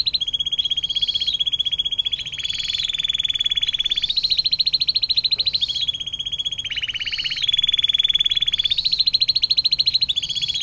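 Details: Atlantic canary delivering a long 'air mancuran' tutor song for songbirds: unbroken rolling trills over ten seconds, alternating between lower and higher pitched sections every couple of seconds.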